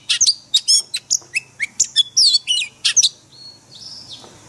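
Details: Daily training song of an oriental magpie-robin in wild forest style, for caged birds: quick series of loud, sharp chirps and buzzy notes about every quarter second, ending in a sustained thin whistle.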